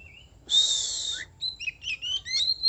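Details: Oriental magpie-robin song: a long, harsh, buzzy note followed by a rapid run of varied clear whistles, some rising and some falling, with faint low hum underneath.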